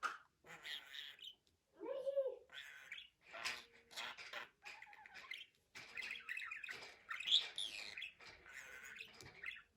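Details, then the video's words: Budgerigar chattering indoors in a fast, scratchy stream of warbles, squawks and short chirps, pitch jumping up and down with brief pauses between bursts. "MUHABBET KUŞU | DİNLET KONUŞSUN"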